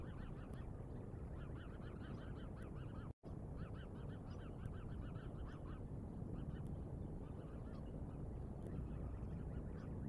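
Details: Bald eagles on a Decorah live cam, 09/08/2022, 07:10: rapid runs of thin, piping, slightly downslurred notes come in loose clusters across the clip, set against a constant low rumble.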